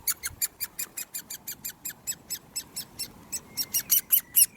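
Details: Begging Great Spotted Woodpecker chick during hand feeding, 1 June 2020: evenly spaced, squeaky high chips about four per second, swelling in loudness over the final second.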